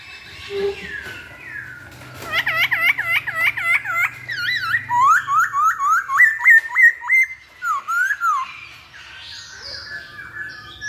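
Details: Masked laughingthrush song used as a lure to prompt singing: loud repeated looping whistles, then a rapid rhythmic series of sharp rising notes, about three per second, fading into softer chatter.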